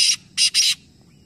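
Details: Black francolins from Nawabshah, three birds calling at once in a competition. A loud rasping burst is followed by a brief gap and then two more harsh bursts close together.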